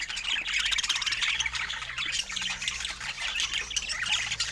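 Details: Budgerigars kept as pets give a steady stream of scratchy chirps and warbling squeaks, many voices overlapping, with a faint low hum underneath.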